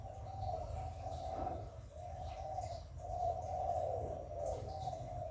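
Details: Spotted dove coo meant to excite kept doves: two long, throaty coo phrases, each swelling then fading, over a low background hum.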